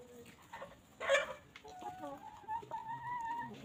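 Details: Free-range hens pecking and grazing on a farm make soft clucks, a brief harsh squawk, and a run of thin, drawn-out tonal whines over a hissy background.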